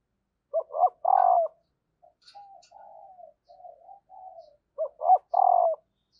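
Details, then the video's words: Female spotted dove calling to trigger cooing in males. Two loud phrases of clipped notes ending in a long buzzy coo frame a run of soft, quavering low coos in between. "Bổi lười gáy và lâu nổi vì anh em chưa mở vdeo này/ tieng cu mai kich trong"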